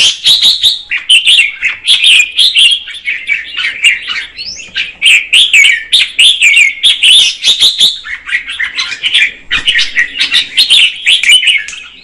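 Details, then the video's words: Female red-whiskered bulbul singing to stimulate the male: a continuous run of bright warbled and chattered notes, mostly high-pitched with quick sliding phrases, a brief pause near eight seconds, then the lively phrases resume. "Chào mào mái hót kích trống Red-whiskered female"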